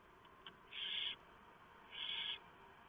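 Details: Barn owl nest at 3:59 AM with the male delivering prey and the female shredding a large mouse for the owlets. A faint tick, then two long raspy hisses roughly a second apart over a quiet hum.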